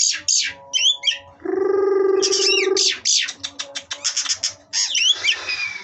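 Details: Oriental magpie-robins at a breeding farm in Kroya village, varied whistled phrases and rapid sharp clicks, interrupted by a long, steady, low harmonic droning tone lasting over a second.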